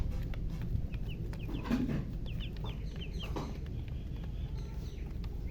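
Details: Chirping from colored chickens, heard as scattered short, high peeps in small runs, with some pauses between them, set against a steady low-pitched background hum.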